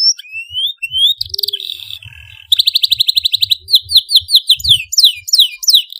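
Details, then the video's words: A loud, vigorously singing domestic canary gives a fast song of rising whistles, a rapid rattling trill of about a dozen notes, then bright descending chirps. "kenari GACOR suara LANTANG"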